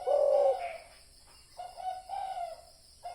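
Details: Spotted dove call used as a decoy lure sound: a loud, low mellow coo opens, followed after a pause by softer, shorter hooting coos at steady pitch.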